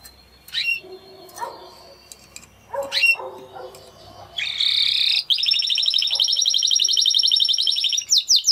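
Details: Scattered soft chirps and faint notes give way to a loud, continuous buzzing roll from a Spanish Timbrado canary, held for about four seconds and ending in a quick burst of sharp notes.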